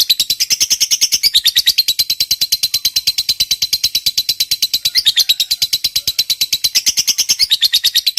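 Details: Lovebird fighter in a long ngekek, played to prompt quiet lovebirds to sing: a sustained, fast, rattling chatter of piercing high notes runs without pause through the whole stretch, wavering slightly in pitch.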